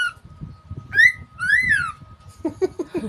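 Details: Pet cockatiel indoors giving two clear whistles, the second a long rising-then-falling note, followed by quick lower chattering notes, over a constant electrical hum.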